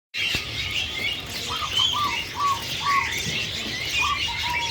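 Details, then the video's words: Masked laughingthrush, a bird still skittish and untamed, giving short clear whistled notes, slightly arched and slurred, repeated about every half second, over a dense background of high thin chirping from other birds. "burung poksay hongkong masih rengas"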